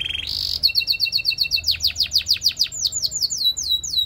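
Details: Canary song for training, with a short buzzy roll, a fine rapid trill, then strong downslurred notes repeated quickly, ending in slower falling whistles.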